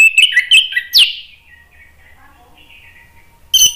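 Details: Orange-headed thrush singing as a lure to prompt another bird to sing: about one second of rapid, varied whistled and chattering notes, a sharp downslurred note, then near silence before a brief bright burst at the end.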